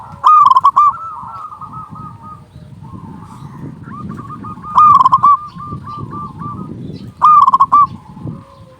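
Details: Local zebra dove with a loud voice, called to lure other doves: three strong staccato cooing phrases spaced a few seconds apart, with softer, rolling coos continuing between them and a low background rumble.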